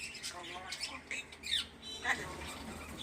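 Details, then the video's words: Myna bird speaking: a few soft, speech-like phrases with stacked harmonic bands and squawky, nasal syllables, broken by short pauses, ending in a brief whistled note; quiet recording with a low background hum. "myna bird speaking"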